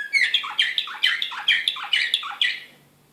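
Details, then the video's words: High, rapid chipping tour from an excited slavujar canary, Serbia, Belgrade 2016. Clipped descending syllables repeat about three per second, then the phrase stops and the room falls quiet. "كناري هائج"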